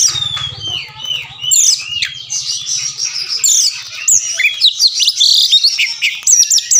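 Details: Full, busy oriental magpie-robin singing, said to draw fighting responses and tail opening from silent birds. It opens with a falling whistle and builds into tangled high trills, sweeps and scratchy notes. Faint low rumble early on.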